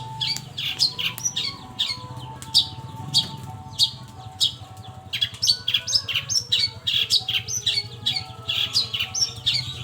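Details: Long-tailed shrike evening lure song meant to draw out other birds: dense bursts of harsh, high chirps and short squawky notes tumbling in quick, uneven runs over a constant low droning background.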